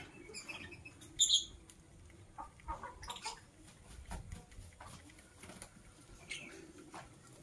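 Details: Masked lovebirds, green and blue birds, in the morning. A single loud, rasping high chirp stands out early. Scattered fainter scratchy chirps and clicks are spaced irregularly through the rest over a low background hum.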